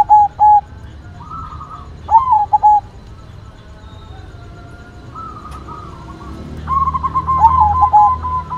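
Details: White zebra dove singing actively: clipped paired coos, a soft rolling phrase, quiet gaps, then a fast stammering series of mellow coo notes closing the passage.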